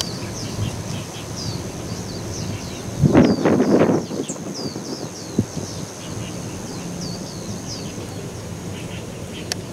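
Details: Two thirsty little buntings, Metropolitan Park, Taichung City, 9 November 2021: short, sharp, high ticking calls repeated a few times a second over a steady high insect-like hum and a brief dull thump.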